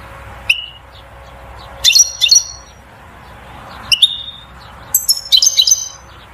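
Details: Goldfinch song used to spur a female into mating and nest building; short groups of bright high twitters and single rising chirps, spaced by pauses of about a second, soft steady hum underneath.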